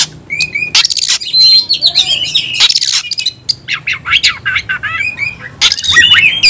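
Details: Oriental magpie-robin fighting song, used to provoke other magpie-robins into loud singing and fighting: a varied run of high whistled notes, slurred rising and falling phrases and harsh broadband rasping bursts, delivered in quick succession.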